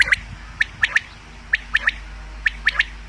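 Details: Common quail calling, a sound used for hunting: crisp three-note phrases, each a quick sharp note followed by two more, repeated about once a second against a quiet background.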